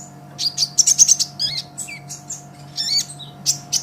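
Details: Brown-throated sunbird (kolibri ninja) singing lively for a songbird-training recording: a dense run of high, buzzy chirps, then lower slurred notes and further twittering bursts, with a soft electrical hum.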